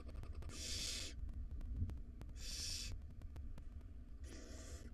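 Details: Wild barn owl nestlings, five hungry chicks at feeding time in a nest box, give three loud, harsh hissing screeches about once every second and a half, with faint tapping and a low hum.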